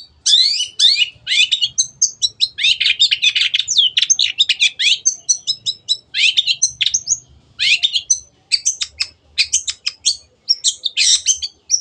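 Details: Long-tailed shrike (cendet), a vigorous singer, in a masteran recording for training kept birds: a long, dense, rapid medley of sharp high chirps, buzzy notes and short whistles with barely a pause.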